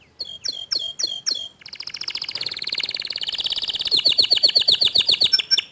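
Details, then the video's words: Young canary responding after hearing another canary sing: a few spaced chirps, then a long, fast, even trill of bright pulsed notes that grows louder toward the end. "Kenari Paud Kenari Bahan Langsung Respon Setelah Dengar Kicauan Kenari Gacor Dor Ini"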